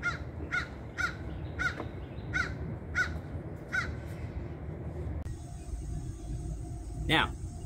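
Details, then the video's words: American crows sounding off with a run of about eight harsh, nasal caws roughly half a second apart, then a last louder caw after a pause, over steady outdoor hiss. "this next video clip is of American crows sounding off so this is what American crows sound like now"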